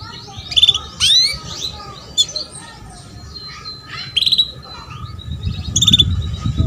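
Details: Female canary luring a male to sing, used as a prompt for young canaries; several rising whistled calls and short trilled bursts spread through, with soft twittering and low background noise.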